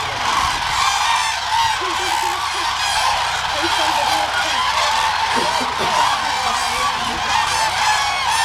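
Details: About 30,000 migratory common cranes feeding at Hula Lake, upper Galilee, Israel, on 31 December 2011, make a steady roar of overlapping, rolling trumpet calls with no break, and faint low voices sound beneath.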